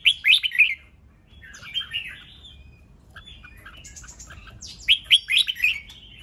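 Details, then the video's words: Red-whiskered bulbul singing to provoke rivals into contest: a quick warbled opening phrase, softer twittering in the middle, then another bright burst of rapid rising and falling notes. "Chào mào CHÉ NẸT CỰC SUNG kích bổi căng lửa nhanh ché/ âm kích nghe là đấu,nghe hót,sổ bọng căng lửa"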